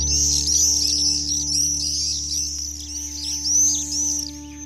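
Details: Black swifts at their Marble Canyon nesting cliffs in Kootenay National Park, early morning, give rapid, high, thin twittering chips, several a second, over the steady low roar of the Kootenay River.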